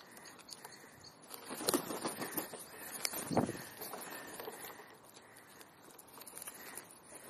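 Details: Rooks visiting a park as winter approaches, giving a few harsh, hoarse caws, the loudest near the middle, over steady background hiss and faint distant noise.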